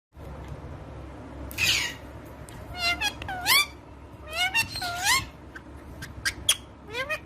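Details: Female Indian ringneck parakeet, a pet kept indoors, making a run of squeaky rising and falling whistled notes and short harsh bursts, in quick clusters separated by brief pauses, over a low room hum.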